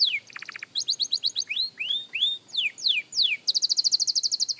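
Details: Young canary practising its song, as a beginner: a brief buzzy low trill, then a string of rising and falling slurred whistles, closing with a rapid, even, high-pitched trill.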